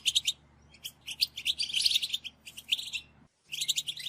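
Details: Goldfinch chattering meant to prompt silent birds to sing: quick bursts of high twitters and tinkling notes in close clusters, a brief silence after three seconds, then the busy twittering resumes.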